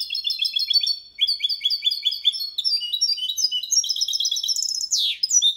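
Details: Hybrid of goldfinch and canary singing error-free Malaga copy for song training: long sequences of high, evenly spaced repeated notes shifting into faster trills, with a short sharp sweeping sound near the end.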